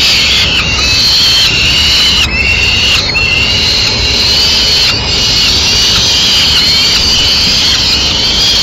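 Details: Madrid peregrine falcon family while the male tears up a swift for the chicks: loud, continuous whining calls, long notes broken by a few brief gaps, with hissing noise underneath.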